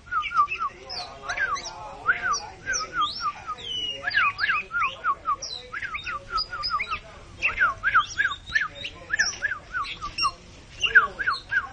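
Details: Oriental magpie-robin singing while puffed up like a balloon; varied loud whistled phrases, short rising and falling notes mixed with harsher chips, delivered in bursts with brief pauses between.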